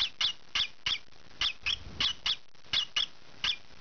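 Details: Green pied peach-faced lovebird youngster scratching and squawking; about ten shrill, rasping calls in short clusters separated by brief pauses, with soft rustling between.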